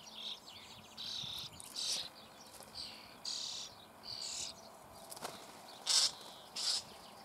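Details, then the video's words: Nestling common starlings being fed inside a breeding hole in the Eifel near Büchel give scratchy hissing begging bursts, roughly ten, uneven in length, with a few sharp clicks between. "Star füttert Junge in Bruthöhle"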